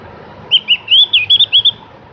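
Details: Javan grey-throated white-eye in full voice: a brisk, loud phrase of about eight high, looping chirps and warbles packed into just over a second.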